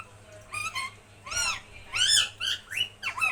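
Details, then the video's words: Pet parrot said to be talking, with a run of loud, harmonic squawks and chattering phrases: arched, rising-then-falling notes in quick bursts, about seven in three seconds, with a steady low hum underneath. "my sweet talking parrot"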